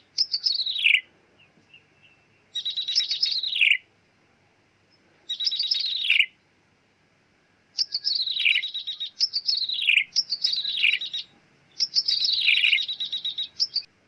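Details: Bar-winged prinia trapping lure in the mewing ciblek meong style: six buzzy, high descending bursts, the first three well spaced, the last three in quick succession, no other sounds.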